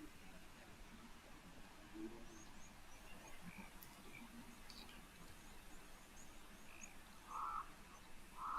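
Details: A crow, guessed to be a Cape crow, gives two short, harsh, mid-pitched calls about a second apart near the end, at a waterhole in Namibia in the heat of the day, over soft wind and distant ambient noise.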